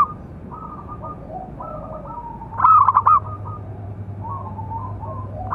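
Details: Big-voiced local zebra dove, a call used to train and provoke other doves: one loud rolling trill of rapid pulsed coos midway, surrounded by fainter background cooing from other doves and a steady low hum.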